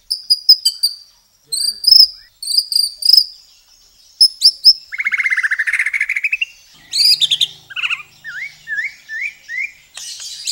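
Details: White-rumped shama (murai) song used as a masteran tutor recording, rich in varied fill phrases and long bursts: high whistled notes in quick groups, then a long buzzy rapid trill and a series of sharp upslurred notes.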